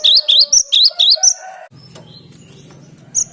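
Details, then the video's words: Cinereous tit song used as a lure for trapping birds: a quick run of five bright, rising whistled notes, then a steady low hum with a few faint high chirps. "Suara Gelatik Batu ini Ampuh buat Pikat"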